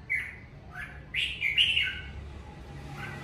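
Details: Kept at home during the covid season, a red-whiskered bulbul gives natural song: a sharp opening note, then a loud, rich warbling phrase and a softer closing whistle.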